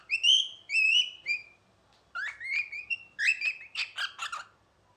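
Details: A pet cockatiel sitting on its owner's head and talking sings clear whistled phrases, some rising, ending in a burst of scratchy chirps.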